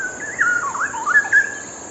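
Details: Straw-headed bulbul song: a smooth flowing whistle wavering up and down, with a few louder looping notes, clean and clear against quiet background.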